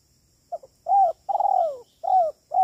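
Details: Spotted dove giving a three-part kuk 3 call, used as a lure for trapping: a short soft double note, a hoarse arched coo, then a long drawn-out falling coo with a wavering start, and the next phrase beginning.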